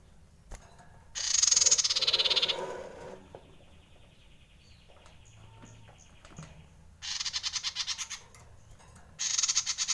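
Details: Common iora giving a frightened alarm used as a bird lure: a harsh, buzzy pulsed burst, then a quiet stretch with a thin steady tone, followed by two more rapid rattling bursts of high notes.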